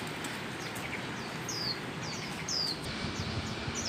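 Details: Wild Mugimaki flycatcher singing: thin, high whistled notes sliding downward, given in short bursts about once a second, with fainter similar notes between them over a steady background hiss.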